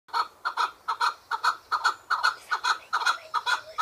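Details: Chukar partridge giving a fast run of clucking notes, mostly in close pairs, repeated more than twice a second with steady rhythm throughout, no other sounds.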